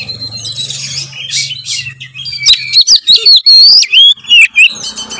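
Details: White-rumped shama singing as a lure for other birds: a low hum and faint notes at first, then loud rising whistles and sharp chirps.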